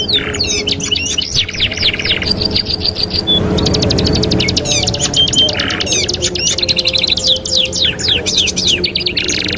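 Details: Canary master song for training other canaries: continuous high chattering trills, buzzy rattles and quick repeated note series changing tempo every second or two, with a brief pause near the middle and a soft low rumble.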